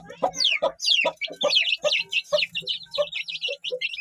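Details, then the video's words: Aseel chicken chicks peep with shrill falling whistles mixed among lower, throaty clucks from an adult fowl, a dense overlapping chatter of notes several per second throughout, with a faint low hum underneath. "Big sound of Hen kids | Aseel Chicks Sound"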